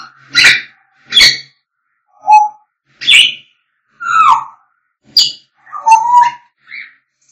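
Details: African grey parrots singing and whistling: a varied series of short whistled notes and rough squawks about every second, some rising, some falling, mixing high and mid pitches, with brief silences between.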